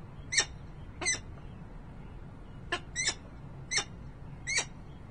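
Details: Peregrine falcon at its nest in Harrisburg, Pennsylvania, 28 November 2020: short, harsh, ringing notes, some doubled, given irregularly about every half second to second over a low steady background hum.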